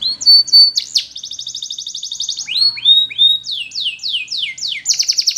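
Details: Belgian canary singing short whistles, a long fast rolling trill, several falling slurred notes repeated about twice per second, and a closing bright trill.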